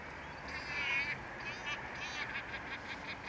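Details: Ringed Caspian gull (Larus cachinnans, red ring 86P4) at Lac de Maine, Angers, France, 14 December 2014, around sunrise 8:40–8:50, −1 °C, giving harsh, nasal calls in a few drawn-out bursts over about three seconds, with steady background hiss.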